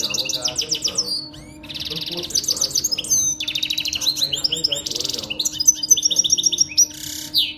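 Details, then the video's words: Saira canary delivering full-start song used to train baby canaries: a continuous varied stream of high rapid trills, buzzy rolls, sweeping whistles and clipped chirps, changing pattern every half second or so, over faint background hum. "Saira canary full start training singing for baby Saira canaryسايره کنيري پول ستارٹ"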